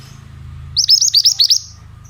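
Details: Oriental magpie-robin, sound for training young birds: after low hum, a quick string of six hooked, piercing chirps, evenly spaced, then a faint trailing note.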